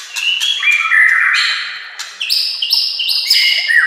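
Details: White-rumped shama song meant to teach other shamas: a rising whistled phrase, then a run of ringing high notes punctuated by crisp clicks, loud and continuous.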